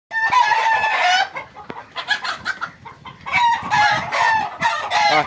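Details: Egyptian Fayoumi chickens at a farm in Bakshiganj, Jamalpur, Bangladesh: overlapping loud harsh crows from several roosters, drawn-out and wavering, with clucking between them.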